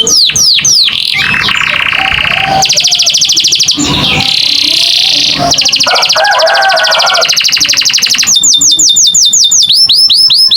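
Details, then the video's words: Varied American canary song: a few quick swept notes give way to dense buzzy trills and rolling rattles at several pitches, then a fast run of repeated descending whistles closes the phrase. "the beautiful sound of the American canary"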